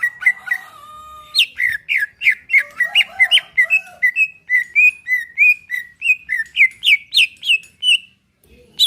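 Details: Greater green leafbird song in relaxed style, played to stimulate a caged bird: faint soft tones at first, then a brisk series of sliding whistled notes, some rising higher toward the end, before a sudden stop.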